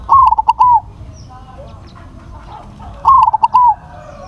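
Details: Crossbred zebra dove phrases repeat about three seconds apart, each a high clear note breaking into rapid pulses and ending in a long sliding coo; faint softer sounds lie between them.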